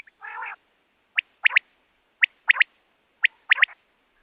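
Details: Common quail call used to lure quail for trapping. A brief harsh nasal burst opens, followed by three evenly spaced three-note phrases: one sharp note, then a rapid double. The surroundings are otherwise silent.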